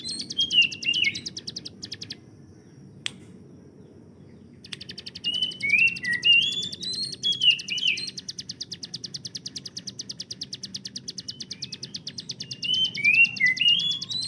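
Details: Hill prinia used as a master tutor for other songbirds. Long, fast bursts of high, chattering notes are broken by a short silence. Other birds' repeated upslurred whistles sound over them throughout.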